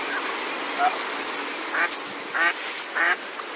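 A Northern pintail gives three short, nasal, rasping quacks about half a second apart, with a few fainter notes before them and a steady hiss behind.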